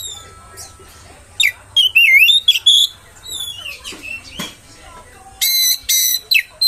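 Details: Oriental magpie-robin song meant to provoke rival birds: varied whistled notes, twisting slurs and sharp clicks, ending in dense buzzy bursts repeated in quick succession.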